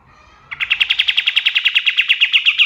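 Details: Male white-shouldered triller at dawn, a model song for caged songbirds: after a faint lead-in, a steady run of bright, clipped notes at about six per second continues to the end.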